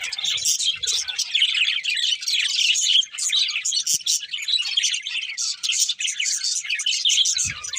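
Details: Several pet budgerigars chirping and singing contentedly as they eat, a steady overlapping stream of high warbles, squeaks and rapid twitters with brief dips, plus a soft low knock near the end.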